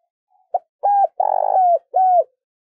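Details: A spotted dove used as a decoy bird to lure wild doves gives a soft, hollow coo phrase: a short note, two sustained hoots with a longer rolling middle, then a final falling coo.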